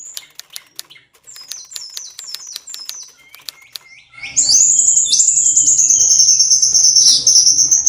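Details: A kacer, or Oriental magpie-robin, in high breeding condition, kept caged. Sharp clicks and short descending whistles lead into a loud, sustained, piercing whistle that wavers slightly for over three seconds.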